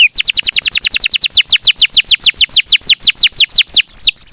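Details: Canary singing lively and melodious. Loud, fast series of sharp descending whistled notes, about three per second, sweeping from high to mid pitch in a steady run, ending in two longer curved whistles.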